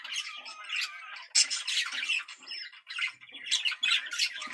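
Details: Budgerigars warbling for breeding stimulation: uneven, squawky chatter rising and falling in loudness, with harsh bursts about every two seconds and softer twittering between.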